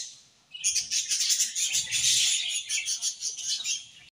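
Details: Budgies chirping in the morning, a sudden start into loud, dense, high warbling chatter with fast pulsing squeaks, fading off at the very end.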